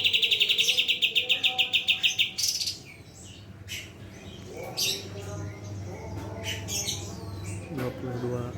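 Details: Cucak cungkok singing a rapid, even, high trill of sharp repeated notes for about two seconds. Scattered chirps and softer calls follow, with a low hum and background voices.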